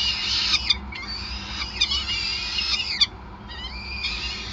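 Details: Nest of peregrine falcons in Groningen, Netherlands, 5 May 2020, during feeding; thin, drawn-out whining calls cut by sharp clicks or snaps about once a second, then a rising whistled note near the end, over faint hum.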